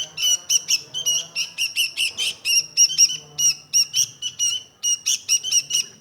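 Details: Energetic bright chirping from a sooty-headed bulbul, short buzzy notes fired in uneven clusters, a faint low hum in the background.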